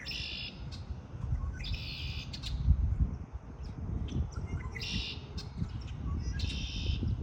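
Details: In spring, birds give high, buzzy trilled phrases about half a second long, spaced one to two seconds apart, while a loud low rumble fills the background.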